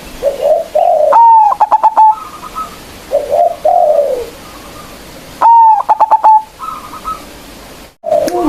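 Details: Local zebra dove calling to provoke competitors: soft, low, warbling coos lead into two loud bursts of a held note followed by fast rhythmic pulses and a brief higher trill.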